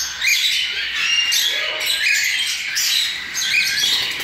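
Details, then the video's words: Recently fledged cockatiel chicks receiving hand-fed formula give scratchy, hissing begging calls in pulsing bursts about once a second, several birds overlapping, with a faint human voice briefly underneath. "Alimentando os filhotes de calopsitas - Papinha"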